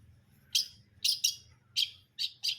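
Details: Long-tailed shrike, locally cendet brundol, utters five sharp, chirping notes in quick pairs and singles over a low background hum.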